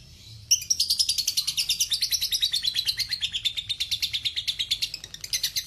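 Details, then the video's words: Long lovebird ngekek trill from a masteran recording: starts suddenly after a short pause, a piercing pulsed chatter that slowly falls in pitch and keeps a steady rhythm to the end. "Masteran Lovebird ngekek panjang"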